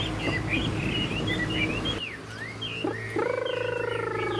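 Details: Tame caged Chinese hwamei (Garrulax canorus) giving quick, varied whistled song phrases that slur up and down, over a low background rumble, with a harsher nasal buzzing sound near the end.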